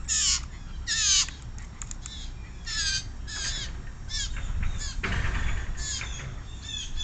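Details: A very noisy young blue jay with a peanut, giving harsh, downslurred rasping calls in a series of short bursts over a steady rumbling background noise.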